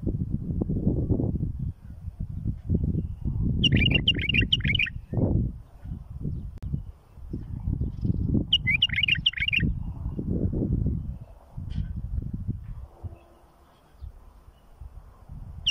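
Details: Bulbul song for teaching young birds: two rattling bursts of rapid repeated notes, each about a second long and some five seconds apart, over loud low-frequency rumble.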